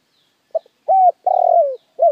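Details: Spotted dove cooing as a lure to stimulate wild doves: a quick soft note, then a level arched coo, a long pulsing coo sloping downward, and a short arched coo closing the phrase, in clean quiet surroundings.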